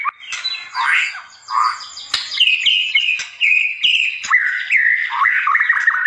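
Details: Training song of a white-rumped shama: rich warbled phrases at first, then a series of clear, sustained whistled notes stepping slightly downward, with sharp clicks scattered throughout.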